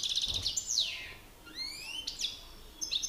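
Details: European goldfinch males in a song battle: a short stretch with a quick chattering run, a sharp downward slur, then thin rising whistled notes and a final chirp.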